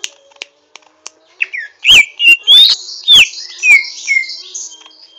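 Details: Greater green leafbird singing roughly while learning: a few soft ticks, then loud whistled notes rising and falling about twice a second over a high buzzy chatter.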